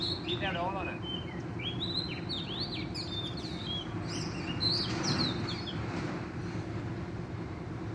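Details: Wild forest Oriental magpie-robin singing vigorously, a string of whistled slurs and short chirps mixed with a fast rattling burst early on, over persistent low rumble.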